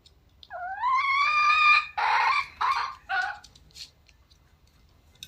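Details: Red junglefowl in the wild giving a crow: a clear rising tonal opening slides into a hoarse, sustained middle. Two short, choppy end segments follow, then quiet with a few faint ticks.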